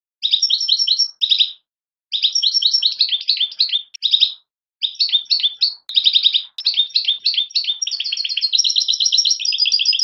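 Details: European goldfinch fledglings in a long run of dense, bright twittering notes, bursts of rapid chirps broken by short pauses, ending in a steadier trilled stretch; no other sounds.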